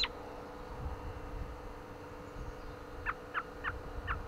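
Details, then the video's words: American robin on a windy day giving a series of four short, clipped, slightly falling notes evenly spaced about a third of a second apart, after a faint opening chirp, with low wind noise throughout. "What's That You Say, Robin? Chirping"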